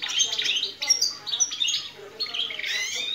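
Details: Captive-bred canary, recorded in 2020, singing a goldfinch-style song known as jilguero internacional: a fast, continuous warble of bright trills and twittering high notes with hardly any pause.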